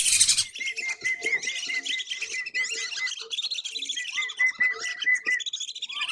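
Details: A flock of tame wandering whistling ducks, let roam free in rice fields and swamps and called in by their keeper for feeding, gives a steady chorus of high, thin whistles and twittering notes, overlapping continuously with short clipped accents.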